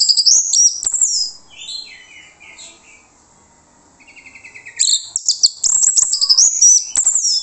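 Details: Lure song of an orange-headed thrush meant to draw replies from other birds: shrill, rapid, high phrases open and close the recording, with quieter slurred whistles and a short buzzy trill in the middle.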